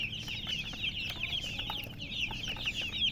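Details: A crowd of baby chicks keeps up rapid, high, piping chirps, each note short and slurred, packed so closely they blend into one steady twittering stream, with a soft low hum behind.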